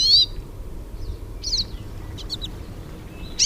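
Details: Several hooded siskins singing in the wild: a few scattered high, bright whistled phrases and sharp chips with pauses between them, over a low steady background rumble.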